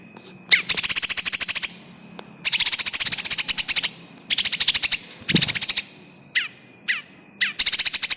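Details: Bar-winged prinia, described as pinched or caught, used as a lure for trapping birds: loud, high, rapid rattling bursts of clicking notes, each burst about a second long, separated by short sharp single chips.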